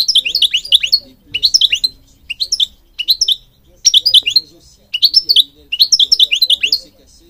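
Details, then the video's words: Goldfinch of Morocco, a bird of public gardens, singing repeated short bursts of quick, high, liquid twitters, about seven phrases with brief pauses between them. "Singing Goldfinch King goldfinch singing"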